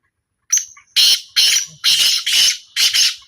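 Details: Calling trial of a black francolin: a high thin whistle opens the phrase, followed by five loud, buzzy, rasping notes in steady succession, each roughly half a second apart, with a quiet background.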